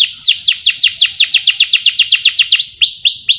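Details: Canary song, local, orange or yellow bird, used as a lure and master song for competition birds: a run of quick downward-sweeping notes, about six per second, ending in longer rising whistled phrases.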